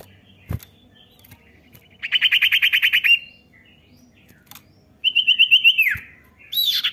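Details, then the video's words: Common iora call meant to coax a young bird into singing: a fast trill of repeated high chirps, a pause, then a second trill ending in a downward slur, followed by another high note. "cepat pancing bunyi cipow bahan"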